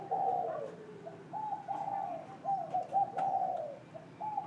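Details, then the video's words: Spotted dove calling in the morning: a series of soft, hollow coos around mid pitch, with a lower sliding note early on, then short grouped coos repeated over several seconds against quiet rural background. "Cu cu sáng"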